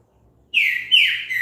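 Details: Green-winged saltator song used to encourage another bird to sing: two loud, rich whistled notes, the first steady, the second starting higher and sliding downward, then a third note begins; no other sounds.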